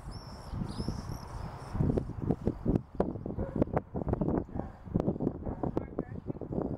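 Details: Non-breeding common swifts, bangers at under-eave nest boxes at the back of a house on 16 June 2014, give thin, high screams, then a run of sharp knocks and thumps, with a low outdoor rumble.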